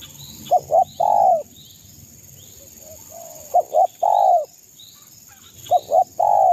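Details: Zebra dove of a local East Java strain, used to provoke rivals: loud cooing phrases of two short notes then a long descending coo, repeated three times; faint high chirps of other birds and a steady background hiss.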